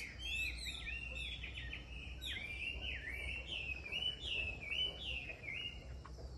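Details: Wild mountain-forest Chinese hwamei sings a rich, unbroken run of varied whistled phrases, sliding up and down at a quick pace, over a low steady rumble.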